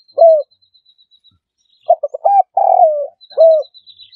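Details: Spotted dove cooing in a trapping lure recording. A single low coo comes first. After a pause come stuttered short notes, a drawn-out falling coo and a final coo. A faint, thin, high whistling tone sounds at the start and end.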